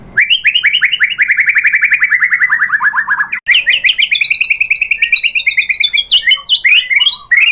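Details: White-rumped shama lure song meant to provoke other shamas to reply, featuring 'tembakan' material: a long rapid-fire train of sharp clipped notes, first slowly descending, then rising again, ending in a few sweeping whistles.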